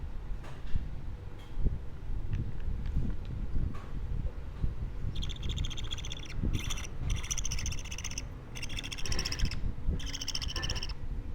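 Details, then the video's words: Two-week-old budgerigar chick giving harsh, buzzy, rasping calls in a run of five bursts during the second half, each about half a second long. The first five seconds hold only low rumbling background noise. "Sounds baby parakeets make"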